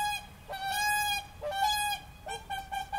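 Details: Bugling whooper swan honks from Tartu county, Estonia, 13 April 2013, captured on a Roland R-05: full, brassy notes, some held almost half a second, following one another closely, with a second bird overlapping near the end.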